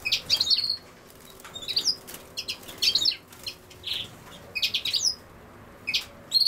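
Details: European goldfinch singing: bursts of bright, liquid twittering mixed with short buzzy trills, each burst under a second and repeated irregularly every second or so against a quiet background.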